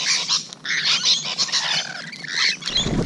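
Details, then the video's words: Close encounter with rainbow lorikeets on the morning of 12 June 2017, a dense wash of harsh, rasping screeches, ending with a low thump. "Rainbow Lorikeet Close Encounters"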